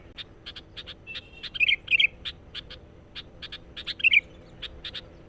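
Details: Sooty-headed bulbul calling in a recording used to lure wild birds, described as energetic, insistent chatter: short sharp chips repeated about twice a second, broken by a few brighter warbled bursts near two and four seconds, over a faint steady hum.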